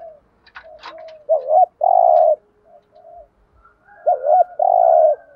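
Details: A spotted dove used as a decoy for wild doves coos in the thúc gù manner. Two phrases, each a quick rising-falling double note and a long steady buzzy coo. Some clicks and brief chirps come before the first phrase.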